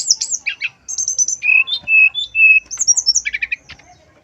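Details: Male brown-chested jungle flycatcher lure song, flute-like nyuling style: high warbled notes, a quick trill, several level clear whistles, a run of bright descending notes and a stuttering buzzy series to finish.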